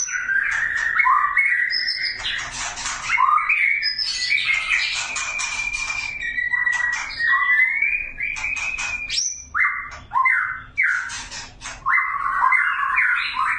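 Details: Male magpie-robin in an aviary calling a female to mate: a loud, varied stream of rich whistled phrases, some sliding up or down, others held, with brief pauses between bursts.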